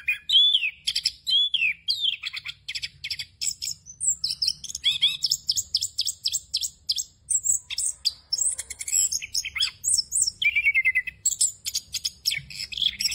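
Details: An orange-headed thrush pours out an unbroken 'ngerol' song crowded with varied inserts, used as training material for young birds. Looping whistles open it, followed by long runs of rapid staccato chips and a descending trill near the end.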